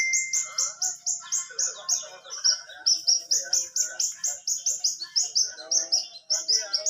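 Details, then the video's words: Wild hummingbird singing vigorously: a fast series of high, sharp, down-slurred whistled notes, about three per second, kept up steadily throughout, with softer chattering below and a brief steady tone at the start. "Burung Kelibri Gacor di Alam Liar"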